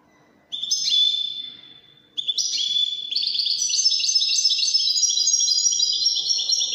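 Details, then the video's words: Moroccan Widani song from a Widani European goldfinch: a short sliding twitter, then a second start that swells into a long, fast run of high, ringing trills. "الحسون الويداني الملك الذي يستحق استماع وتمتع في ادائه في التغاريد الويدانية المغربية"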